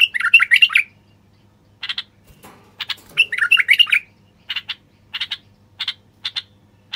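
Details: Male common bulbul singing to stimulate silent wild bulbuls to sing and mate: two loud bursts of rich, bubbly whistled warbling, each followed by short paired chirps repeated about every half second, over a faint low hum.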